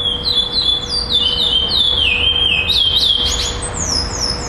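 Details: Chestnut-bellied seed finch, black male, in a singing tournament in Florianópolis on 11-12-2011, placed second, singing a song with repetition: rapid clear whistled notes sliding down and rising again in a flowing series, with faint crowd murmur.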